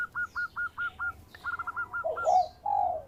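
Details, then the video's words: Zebra dove of a local strain, an eager singer with a sweet voice used for luring birds, giving a rapid run of clipped staccato notes, a second quick burst, then mellow rolling coos. "Perkutut Lokal Gacor Suara Merdu Cocok Buat Pikat"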